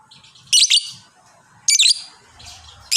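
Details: Fighter lovebird chatter: two loud, harsh, high-pitched bursts of rapid squeaks about a second apart, with a third starting at the end. A faint low murmur lies between them.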